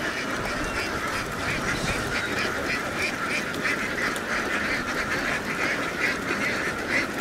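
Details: Large flock of egg-laying ducks in Vietnam heading from a field down onto a boat; busy, rough quacking fills the whole stretch without pause.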